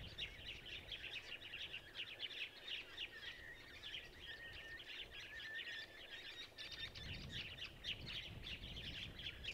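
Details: Masked woodswallows at Gluepot Reserve, South Australia, on 15 October 2023, give a steady chatter of short, harsh chirps with overlapping voices, as from a flock. A low rumble of wind comes in near the end.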